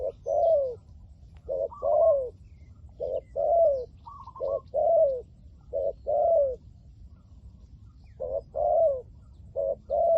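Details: Spotted dove used as a decoy for trapping wild doves, 'liu tan' voice style, uttering hoarse two-part coos, a clipped note then a drawn-out falling one, with occasional higher-pitched faint notes between and uneven gaps.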